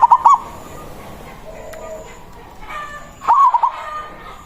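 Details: Local zebra dove with a strong voice sounding its manggung call to summon a rival, used as a lure: two bubbling phrases of quick rolling coos about three seconds apart, with quiet background noise and a faint click.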